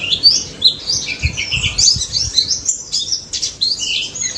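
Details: White-eye (pleci daput) with lively high warbling chirps in the 'ngalas' style, notes tumbling quickly over one another, low faint knocking in the background.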